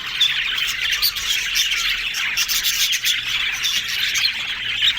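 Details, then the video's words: A flock of yellow budgerigars chattering happily with continuous squeaky warbling and bursts of chirps, plus a faint low hum underneath. "Yellow Budgies Talking Sounds Happy"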